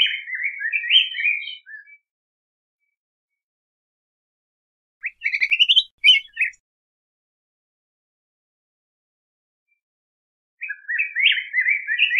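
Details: Yellow grosbeak (Pheucticus chrysopeplus) singing rich, warbled phrases of rising and falling whistles, about two seconds each, separated by silent pauses; no other sounds.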